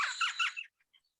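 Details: An Elf Owl heard while owling in Portal, Arizona, in spring, where about three pairs were present, gives its contact call: one harsh, squeaky chatter lasting just over half a second, then a couple of faint, high squeaks.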